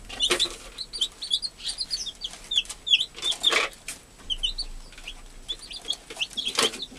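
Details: American chicken hen tending her newly hatched chicks; rapid high-pitched chick peeps, short and scattered, overlapping throughout, with a few broader soft bursts and low background hiss.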